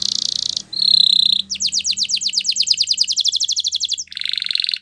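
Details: Canary performing Spanish Timbrado song for training: a buzzy rattle, a long pure whistled note, then a long fast series of descending chirps repeated many times a second, ending in another metallic roll.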